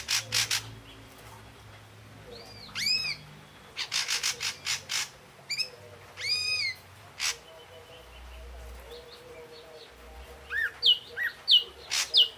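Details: An Ashy drongo sings a varied sequence: harsh grating bursts alternate with loud ringing arched notes, later sharp high whistled chips, with pauses between phrases.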